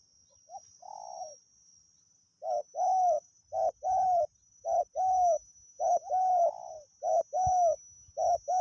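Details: Wild spotted dove heard during decoy luring, noted for its good voice. One soft opening coo, a pause, then a steady run of loud paired notes: a brief coo and a longer, level coo, repeated roughly every second with little background noise.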